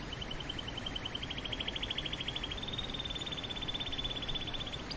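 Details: Quiet, continuous rolling trill from a canary, rapid even pulses held at a nearly level high pitch for the whole five seconds over a hiss of background noise.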